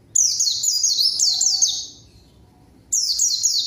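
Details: A white-eye's lively song aimed at drawing a rival and prompting silent birds to sing: a quick chain of high falling whistles, a pause, then a fresh burst.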